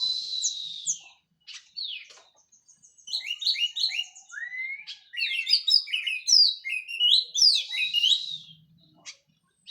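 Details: Local Cililin orange-headed thrush, freshly through its molt, delivering a clear teler song: a rich, fast run of varied high whistles, slurs and twittering notes, building in density after a quiet start.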